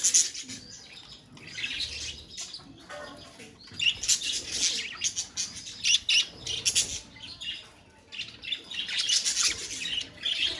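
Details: A colony of budgerigars chattering: overlapping high chirps and warbling twitters that come in bursts of a second or two, rising and falling in loudness across the flock.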